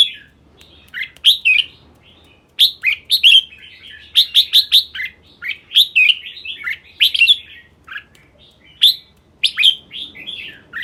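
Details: Red-whiskered bulbul delivering a lively run of rich, liquid whistled phrases, many loud sharp rising notes followed by rolling falling warbles, repeated in clusters over about eleven seconds in a quiet setting.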